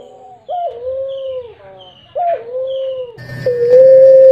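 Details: Tame caged Barbary dove, puter pelung, with a black neck ring: two rising-then-falling throaty coos about two seconds apart, then a flat sustained note over a louder, buzzier background.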